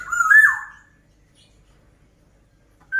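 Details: Black-naped oriole singing actively: one loud fluted whistled phrase, level then swooping down, lasting under a second, followed by quiet.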